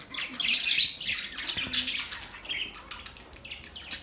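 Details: Budgerigars twitter softly in quick, high, squeaky chirps that rise into a brief louder burst, then settle into fainter chatter.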